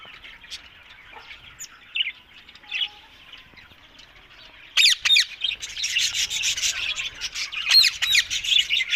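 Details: Green ringneck parrots, several birds: quiet, scattered chirps at first, then from about five seconds loud, harsh, rapid squawks and shrill chatter that rise and fall in dense bursts.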